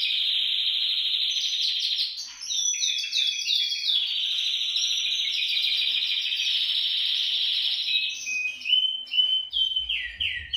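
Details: Canary song for inciting canaries to sing: a long steady trill broken by quick falling slurs, then a rolling trill and sharp descending chips at the close.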